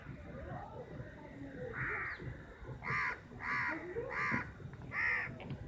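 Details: Crows squabbling over chapati in a large flock, giving harsh nasal caws at irregular intervals, about five loud calls here, over a murmur of background noise.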